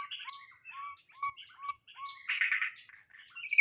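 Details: Lure white-rumped shama singing repeated clear, low whistled upslurs about every quarter second, mixed with higher chips and a brief harsh, buzzy burst, over a steady thin whine.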